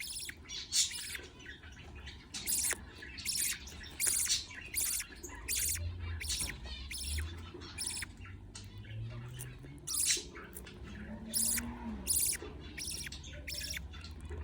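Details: Budgerigar chicks being fed, producing irregular scratchy begging bursts and short chirps over several seconds, with quieter stretches and a faint low rising hum in the background.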